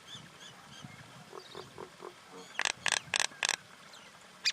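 A common myna gives four loud, harsh rasping squawks in quick succession, after softer clucks and chatter, with faint background murmur.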